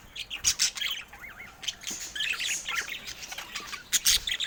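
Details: Adult pet budgerigars kept indoors, several birds calling together: quick wavering warbles that rise and fall, mixed with sharp high chirps and short squawks in a busy, overlapping stream, with no music.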